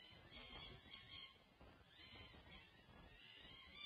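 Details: Wild peregrine falcon family on a UC Berkeley nest ledge, 1 June 2024, during a feeding as the male drops down to join. Faint grating, drawn-out calls come twice over a constant low rumble.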